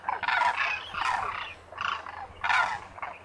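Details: Migrant demoiselle cranes (koonj) wintering in the thousands at a lake by Khichan, Thar Desert, Rajasthan, India; loud raspy croaking trumpets in several overlapping bursts, a dense chorus of many birds.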